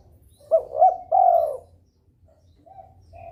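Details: Breeding spotted dove calling to make rivals answer: a single phrase of two short rising notes and a longer descending coo, then quieter short coos.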